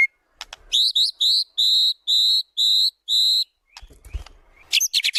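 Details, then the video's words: White-rumped shama singing as a training lure, pouring out its repertoire: a few clicks, then six long, steady whistled notes about half a second each, followed by soft rustling and brief high notes. "PANCINGAN MURAI BATU GACOR BONGKAR ISIAN"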